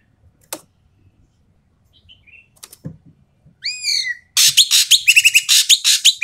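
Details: Asian pied starling, loud and harsh, played to provoke quiet starlings to sing: faint clicks and a soft note early, then a rising whistle and a closing burst of grating rasps and quick buzzy note runs.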